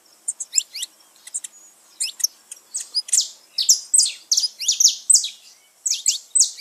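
A saffron finch sings sharp, high chirps in quick clusters that grow louder and denser, ending in bright, ringing notes. The background is quiet.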